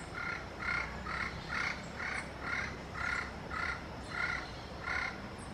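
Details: Yellow-fronted parrot calling to its peers, giving rhythmic, raspy squawks roughly twice per second, evenly spaced, against a faint low hum.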